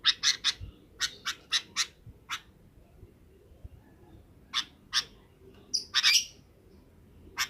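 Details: Sooty-headed bulbul calling companions to roost in the afternoon: an opening run of harsh chips, then a pause, then more spaced chips and a louder squawky note, over a low rumbling background.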